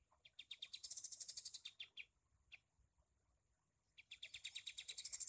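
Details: Shooting-style song from a Sooty-headed bulbul with a torn beak, kept to tutor songbirds: quick high staccato notes rising to a loud dense peak, scattered single chips during a pause, then a fresh rapid run.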